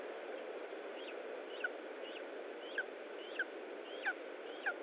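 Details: At an Estonian nest, lesser spotted eagle during feeding on 20 July 2012 at 15:45: brief high slurred notes recur about every half second to second, gaining strength toward the end, over persistent hiss.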